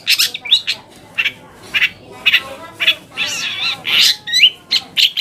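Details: Long-tailed shrike singing as a lure to stir other shrikes into replying: harsh squawks alternate with chattering and rasping bursts and a few thin, whistled upslurs, delivered in uneven pulses.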